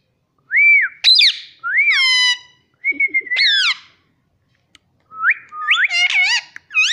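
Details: Talking pet Indian ringneck parakeet indoors gives bright whistled notes that rise to a flat tone and then drop, mixed with harsh squawky bursts, in two bouts separated by a brief pause.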